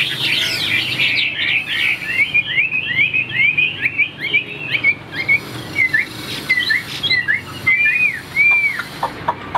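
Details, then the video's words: Caged Chinese hwamei singing strongly: a rapid rolling stream of slurred whistled notes that slows into separated, looping whistles and sharp upward and downward sweeps. "HM 1697 - CHIM THUẦN - HÓT TỐT"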